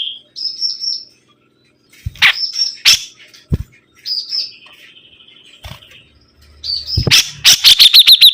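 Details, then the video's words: Sibuntung bird in energetic song: short high whistled phrases separated by pauses, a level buzzy trill, then a fast burst of repeated sharp notes at the end. "BURUNG SIBUNTUNG GACOR"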